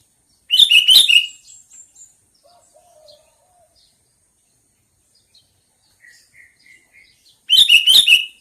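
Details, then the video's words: Sooty-headed bulbul giving two loud bursts of quick, bubbly chattering notes about seven seconds apart, with soft scattered short notes and a low faint whistle between them. "Suara burung kutilang panggilan"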